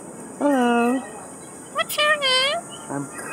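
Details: Cockatoo in the Philippines talking to the person filming, who coaxes it to say hi; two drawn-out, tonal, harmonic-rich utterances, the second rising and falling, with people talking and a steady high insect-like hum.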